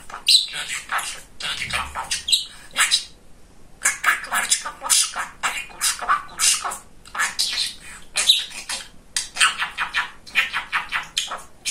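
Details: Chatty male pet budgerigar talking at length: long run of rapid, thin, crackly speech-like syllables and a couple of whistled notes, with one quiet pause of about a second midway.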